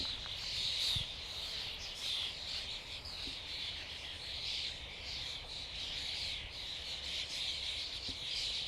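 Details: Common starlings in a flock keep up an unbroken, high-pitched chorus of overlapping chirps, squeaks and rasping notes, swelling and easing slightly over several seconds.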